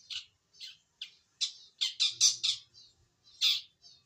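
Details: Young wild-taken long-tailed shrike just beginning to sing: a run of about ten harsh, rasping squawks, spaced unevenly and bunching closer together mid-sequence, with a faint low hum beneath.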